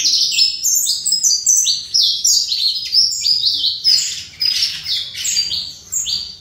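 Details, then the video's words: Captive-bred saffron finch singing in the fibra style; high, bright, buzzy phrases of quick descending and level notes, delivered in rapid overlapping bursts throughout. "Canário Fibra"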